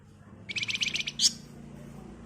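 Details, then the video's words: Flamboyan bird in agitated nyerecet song used as a lure for other birds; about eight quick, high, sharp notes in under a second, ending with one louder squeaky note, over a low steady background hum. "Burung Flamboyan Gacor Emosi Ngebren Rapat Nyerecet Cocok buat Pancingan"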